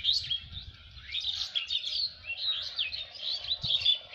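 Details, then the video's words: Birds singing in the rural countryside of Lalmonirhat, Bangladesh: a busy, continuous chatter of high twittering and chirping notes from several birds, with faint low rumbling beneath. "পাখির গান"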